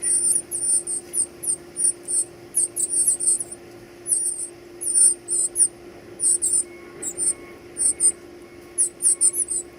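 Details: Baby birds being fed, giving very high, thin squeaky begging calls in quick irregular bursts, with a steady low electrical hum in the background.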